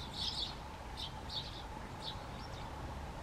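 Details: Great tit, the largest and most numerous tit in the Czech Republic: a few high chirping notes, strongest at the start, then fainter spaced notes over steady low rumble and hum.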